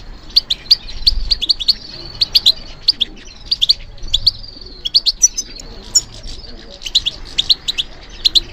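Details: Caged European goldfinch, trained for song competitions, singing steadily: quick sequences of sharp high chirps, liquid twitters and a thin wavering whistle, with a soft thump near the start.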